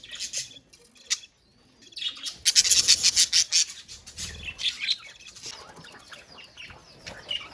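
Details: Colony of budgerigars: scattered chirps, then a loud surge of dense, shrill chattering and rapid tweets that gradually fades into softer twittering.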